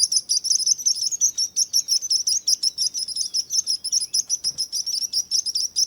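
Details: Birds chirping for relaxation: dense, high, rapid chirps overlap continuously without a break, several birds calling at once in a busy chorus.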